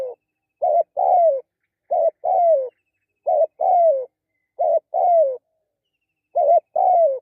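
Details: Spotted dove cooing in a quiet setting: five paired phrases, each a short rising-and-falling coo followed by a longer, throaty note that slides downward, repeated about every 1.3 seconds, with no other sounds.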